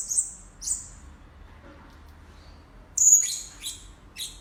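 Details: Blue-crowned hanging parrot lure calls: two thin, very high squeaky notes, a pause of about two seconds, then a loud sharp high whistle followed by three quicker descending chirps over a soft low hum.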